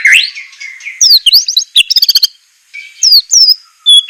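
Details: White-rumped shama training song with sharp, harsh 'shot' notes: a bright opening slur, quick rising whistled sweeps, a rapid burst of clicks, then falling whistles after a short pause.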